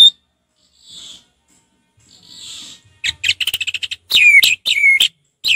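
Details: Relaxed 'ngeplong' singing by an orange-headed thrush: faint hissy notes, then a quick rattling string of short notes and two loud, ringing whistled phrases with sweeping overtones.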